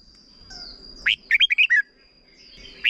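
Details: Red-whiskered bulbul, short 'boen' song for young birds to learn: a sharp upward note, then a quick cluster of five liquid whistled notes dropping in pitch at the end, with a faint steady high drone.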